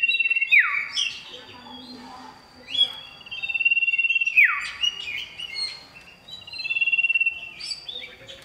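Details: Male oriental magpie-robin singing loudly to call a female: three phrases of long level whistles ending in steep downward sweeps, separated by fast trills and high chirps.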